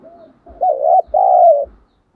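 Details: Decoy spotted dove cooing to lure rival doves: a soft lead note, then two long, loud, mellow low coos back to back, with faint thumps underneath.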